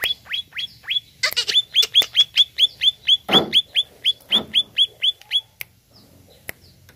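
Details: Greater green leafbird song, played to provoke a kept bird: a long, steady series of about twenty clear, downward-slurred whistled notes, evenly repeated, with a few harsh rasps mixed in, then quiet.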